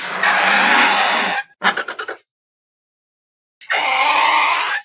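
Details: Himalayan vulture gives a long, harsh, breathy rasp, then a quick run of four or five grunting pulses, and after a silence another drawn-out hiss.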